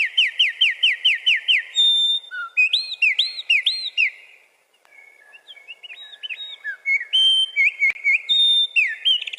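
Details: A male wren sings to defend his territory, a loud, high, tumbling song of fast repeated notes and rattling trills, pausing briefly midway before starting again.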